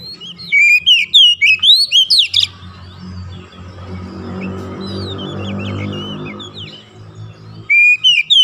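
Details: Kacer, or Oriental magpie-robin, in gacor chattering song intended to make lazy birds sing: quick loud whistled phrases open the recording, a low engine rumble takes over the middle, and the whistling returns at the close.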